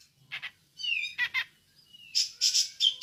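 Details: Grey-cheeked bulbul (cucak jenggot) giving its ngepik call, used as a lure for other birds: paired harsh chirps, then a faint rising whistle and a run of loud, high, buzzy chirps in quick bursts, with a faint low hum beneath.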